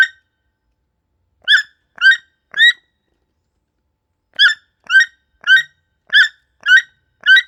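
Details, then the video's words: Toucan screaming in the Amazon forest: short, harsh, harmonic cries that are nasal and croaky. One comes at the start. A later burst of three is spaced about half a second apart, then after a pause a run of six more. The gaps are otherwise silent. "Toucan screaming in the Amazon Forest"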